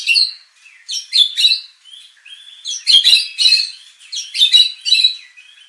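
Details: White-rumped shama song meant to make competition birds emotional and sing fully: loud varied phrases of chattering notes and upslurred whistles in bursts, separated by quieter gliding whistles.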